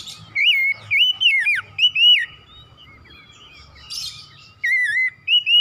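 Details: Kacer, the Oriental magpie-robin, in lively 'gacor' song to provoke an excited response: loud wavering whistled notes in quick runs, a pause, then more looping phrases, over a steady faint tone and low background hum.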